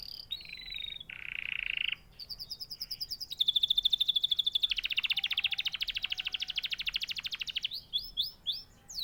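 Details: Canary singing a buzzy phrase, a lower rasping note, then a long fast rolling trill of evenly spaced notes before closing with quick high chirps.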